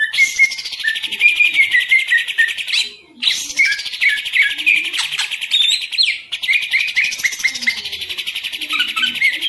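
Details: Caged green leafbird (cucak ijo) singing: loud, continuous rich warbling with rapid whistled notes and descending slurred phrases, in long unbroken runs with brief pauses.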